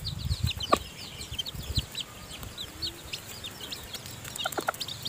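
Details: Hen feeding her newly hatched chicks in the nest: many short high peeps scattered throughout, with soft low clucks and a few louder clicks near the start and end.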